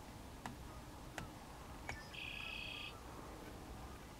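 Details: One of two red-winged blackbirds at Condie Nature Refuge, Saskatchewan, Canada, 8 April 2015, 6:30 p.m.: three sharp clicky notes about a second apart, then a buzzy, rattling trill under a second, over low wind-like rumble.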